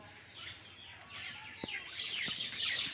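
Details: Baby birds inside their nest start with scattered thin chirps, then swell into a loud frantic chorus of high squeaks near the end, with a few soft knocks.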